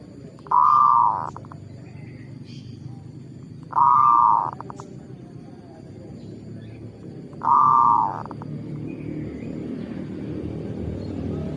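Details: Zebra dove used as a lure: a low, soft cooing phrase with a fast rolling trill, given three times about every three and a half seconds over a steady hum of background noise.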